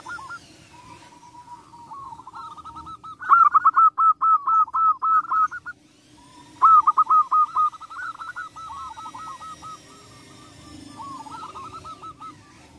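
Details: Zebra dove (perkutut) singing to provoke rival birds into responding: loud, rolling phrases of rapid stuttered coos, two main bursts several seconds apart, with softer coo phrases between, and a faint hum behind.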